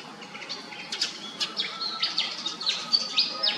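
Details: High, thin chirps from a pied fantail, quick sharp notes and short slurs packed closely together, growing louder toward the end over a soft steady background hum.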